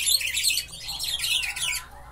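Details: Caged Buffy-fronted seedeater, known locally as batuqueiro or bico de pimenta, singing from a cage placed close to another cage; a fast, dense twittering of high chirps and trills, loud at first, then fading near the end.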